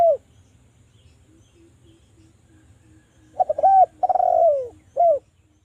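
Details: A spotted dove coos to lure other doves into singing. Faint, evenly spaced soft notes open the clip, then one loud phrase follows: a quick double coo, a long downward-sliding purr and a short final note.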